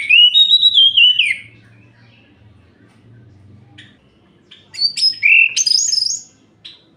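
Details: Orange-headed thrush song for night-time therapy against other males: a warbling whistled phrase, a quiet stretch with faint low hum, then sharp high notes and jumbled rising whistles.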